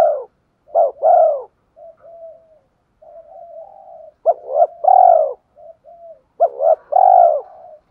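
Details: Spotted dove urging a fight: three phrases, each a pair of short coos running into a rich, drawn-out rolling coo, separated by soft, low murmured notes.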